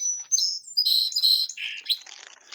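Song Sparrow song: a clear opening note, then quick buzzy trills and a lower burry phrase, all high-pitched, ending in a rough, fading rattle.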